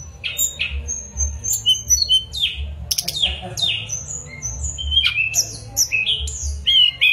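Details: Mangrove blue flycatcher in a varied, continuous song of high whistled phrases and quick slurred notes, with a low background hum.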